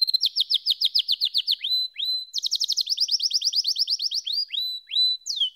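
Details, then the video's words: Canary delivering rapid rolling trills in two bursts separated by a brief pause, with clear upslurred notes between the rolls. "Canary SINGING"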